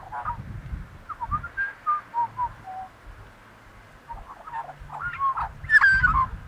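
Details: Australian magpie carolling in a string of short whistled and gurgling notes, some descending, ending in a louder, richer warbled burst, with low thumping noise in the background.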